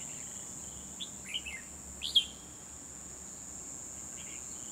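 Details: Decoy Red-whiskered bulbul in a trapping cage, 12 December 2020, calling in wild birds; several quick warbling notes in a cluster, the last loudest, then fainter phrases, with a constant shrill insect hum behind.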